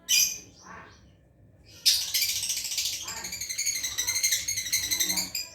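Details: Pet lovebird learning its chatter (ngekek): two short high chirps, then from about two seconds a long, dense, buzzy, rapidly pulsed trill that runs to the end.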